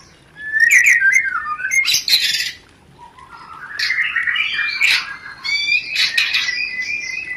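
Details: White-rumped shama 'rencetan' song meant to stimulate mating: bright whistled phrases and scratchy bursts, a short pause, then a rising series of buzzy, chattering notes.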